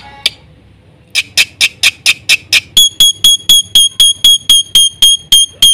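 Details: Black-winged myna singing gacor full isian style: a single sharp note, a pause, then a run of rasping notes that turns into clear, ringing whistles repeated about four times a second.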